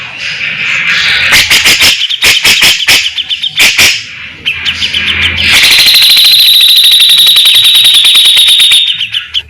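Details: Grey-cheeked bulbul in full song: scattered sharp clicks and rough notes, then a long continuous high rapid trill held for several seconds.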